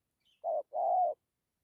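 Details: A single phrase of spotted dove cooing in the 'dặm' style: one short low coo, then a longer, hoarse, slightly rolling coo.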